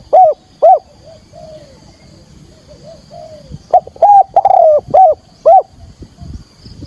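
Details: Spotted dove decoy in field-voice thúc gù calling, used to draw wild doves into a trap; two loud coos, soft low coos in between, then a loud run of five distorted notes.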